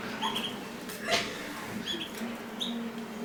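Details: Mosaic canaries while mating give brief, thin, high chirps, a few in each second, over continuous low humming background noise and a couple of soft knocks.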